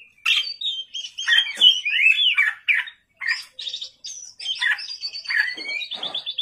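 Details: Oriental magpie-robin (kacer) singing energetically at night, a gacor song used as a lure to trigger other birds: a rapid, varied run of whistled slurs, sharp chirps and buzzy notes, rising and falling with brief pauses.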